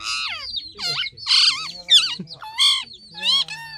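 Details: Green parrot making screechy, squawking calls, perhaps saying "mitthu": six loud bursts with bending, wavering pitch and rich harmonics, close together over a few seconds, with a faint low murmur underneath.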